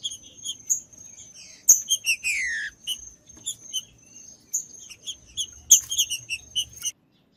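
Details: Green-winged saltator singing in the woods to warm up a cold bird: one long falling whistled slur between bursts of short high chirps, a faint steady high tone throughout, then silence at the close.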